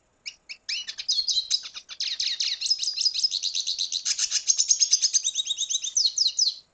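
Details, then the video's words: A red siskin from Venezuela sings a long, rising and twittering warble, fast high notes blending into buzzy trills with a whistled thread, after a few opening chips. "Canto Cardenalito Venezuela / Spinus cucullata / Carduelis cucullata"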